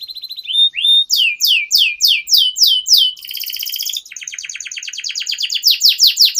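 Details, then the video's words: Canary singing non-stop, recorded as a lure to get young canaries singing quickly: a clear whistle, then slurred descending notes repeated about three per second, a dense buzzy roll, then quick falling chirps. "Pancingan Kenari Paud Agar Cepat Bunyi || MASTERAN Burung KENARI Gacor Panjang"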